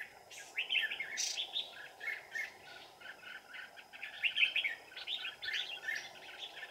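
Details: Red-whiskered bulbul song recorded at a trapping site deep in the mountains on a cold afternoon, 15 December 2018. Bright warbled phrases come repeatedly through the clip, overlapping as if from several birds, over steady background hiss.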